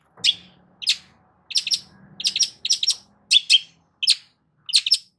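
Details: Long-tailed shrike singing to coax a silent bird into song, with rasping, scratchy notes grouped in short bursts of two or three, repeated steadily at about half-second gaps over a faint low drone.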